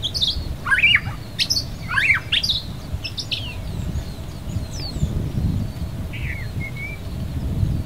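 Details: White-rumped shama singing a few loud varied whistled phrases with sharp slurred notes, then quieter scattered notes, over steady low rumbling background noise.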